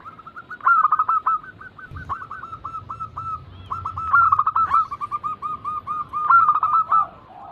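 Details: Zebra dove calling as a lure to coax reluctant birds into calling. Rapid runs of short, mid-pitched cooing notes in bursts, some louder and doubled, with brief quieter gaps between phrases.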